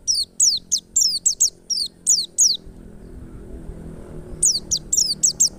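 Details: Wild forest white-eye song, known as pleci ngalas and used as a lure to get other white-eyes singing: rapid high, thin whistled notes sliding steeply downward, given in quick bursts, then a short pause before another burst.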